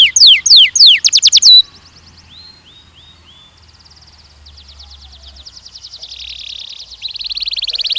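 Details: Canary song from mating training of young male and female birds. It begins with loud rapid descending trilled notes, then turns to softer, fainter rolling trills and buzzy repeated phrases that slowly grow louder again.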